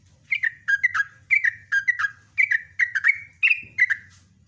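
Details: Lively sooty-headed bulbul song in a steady series of paired bubbly whistled notes, about one pair every half second, over a soft low background hum.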